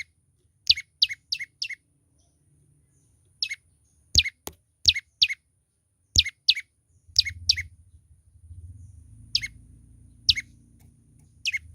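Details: Chirps of a young olive-backed tailorbird in full voice, bright downward-sliding notes in rapid bursts of two to four, repeated through the stretch, with a low rumbling background noise building in the second half.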